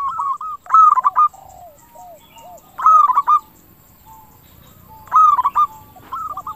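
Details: Zebra dove of the local crystal-voiced type, sung as a lure to stir other doves into replying: a rolling, trilled coo phrase repeated roughly every two seconds, each followed by soft, lower, curved notes.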